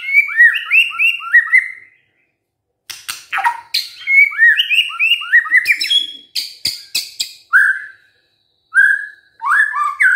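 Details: White-rumped shama in lively gacor song: rapid rolling whistled phrases, then harsh clicking and buzzy notes. The clip finishes with rich, downslurred whistles separated by short pauses.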